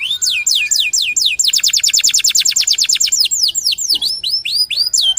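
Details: Local canary singing: a series of swooping downward whistles, a fast even trill of repeated notes, then varied slurred whistles and chips.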